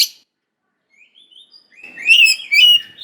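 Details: Oriental magpie-robin song used as a lure to stir young wild birds into answering: a few thin rising whistles, then a loud warbled phrase of slurred, descending notes.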